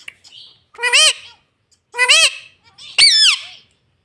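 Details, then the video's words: Talking pet green ringneck parrot uttering three loud, rich, arching syllables about one second apart, each rising and dropping in pitch, like words spoken in a shrill voice, indoors. "mitthu voice - bolta tota very cute - green parrot talking"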